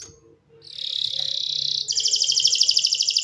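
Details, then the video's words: Canary singing: a long buzzy trill held near a steady high pitch, then a faster, brighter rattling trill with layered overtones, each phrase made of rapid repeated notes. "Canary singing"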